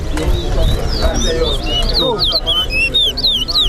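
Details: Chestnut-bellied seed finch (towa towa) in an all-star singing competition at Lusignan, Guyana: bright whistled notes and rising and falling slurs, rapid and varied, over steady crowd chatter and low rumble.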